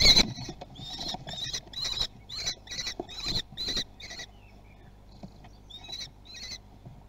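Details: Common kestrel chicks at a nest in Théding, France, on 17 June 2020, competing to be first to eat: a burst of harsh, high, scratchy begging notes repeated about twice per second, fading out, then a few more near the end.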